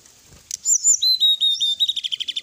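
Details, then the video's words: Sooty-headed bulbul, night-time tutor-song recording full of fill phrases: a sharp click, clear descending whistles, then a fast rattling series of short repeated notes speeding up toward the end. "srdc gacor full isian ,masteran srdc malam hari"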